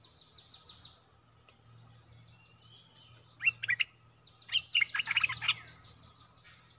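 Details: Streak-eared bulbul singing bursts of quick, slurred, bubbling notes, the second burst longer and busier, with pulsed buzzy insect trills before and overlapping and a faint low hum throughout.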